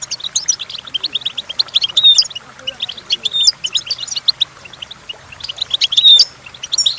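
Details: Song of a goldfinch, presented for training goldfinches to sing, a fast tinkling twitter of bright high notes with sharp whistled accents and brief buzzy rolls, pouring on almost without pause.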